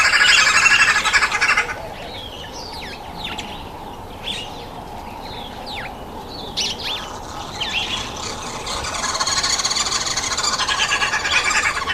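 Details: Red-billed wood hoopoe, a very noisy bird, calling at a feeding table: a dense, harsh chattering burst for nearly two seconds, scattered sharp chirps in between, then another long cackling outburst near the end.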